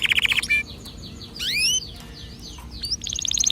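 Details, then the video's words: Canary singing, a song meant to stimulate other birds to sing: fast bright trills, a short sliding whistled phrase, then a quick rapid rattle of high notes at the end. "هل تبحث عن تغريد كناري يحفز طيورك على الغناء أسمعه"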